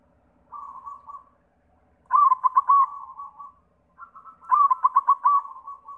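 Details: White zebra dove song used as a lure to prompt other doves to sing: a soft low coo, then two loud stuttering bursts of rapid pulsed notes, each easing into a drawn-out trailing coo.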